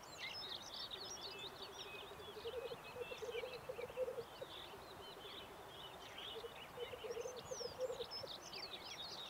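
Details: A displaying black grouse on a mountain ridge among dwarf pine, after rain and in fog, gives its low, dovelike bubbling roo-koo in long rolling phrases of several seconds; songbirds twitter high above it.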